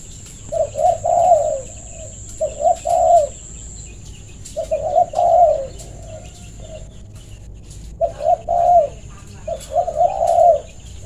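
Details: Spotted dove calling others to play, a low husky cooing phrase of a few soft hoots repeated about every two seconds, with a steady faint high whine and occasional clicks behind.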